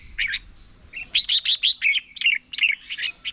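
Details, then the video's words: Red-whiskered bulbul singing in the morning during competition song training: bright, liquid whistled notes in quick bursts, a short opening phrase and then a longer run of rising and falling chirps, over a faint steady high whine. "Chào Mào Hót Đấu || Kích Chào Mào Hót Sáng Luyện Giọng Bổi Hót Đấu Căng Lửa | luyện giọng chào mào"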